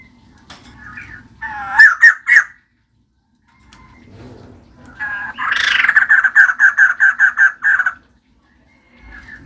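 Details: Female white-crested laughingthrush calling vigorously: a few loud squawky notes, a pause, then a rapid run of about eight evenly spaced ringing chatter notes, ending in quiet.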